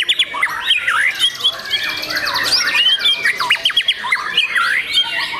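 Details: Young white-rumped shama: bold rising and falling whistled phrases with sharp upward sweeps and rattling trills, over busy chattering from other birds.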